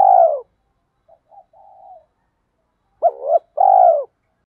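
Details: Decoy spotted dove cooing to provoke answering doves: a long falling coo, soft stuttering murmurs, then a two-part phrase of a short rising note and a long descending coo.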